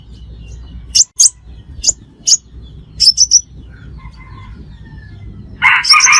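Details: Crimson sunbird calls played as a trapping lure: scattered single high, sharp chirps, then a quick triplet, ending in a louder, harsher burst of sound.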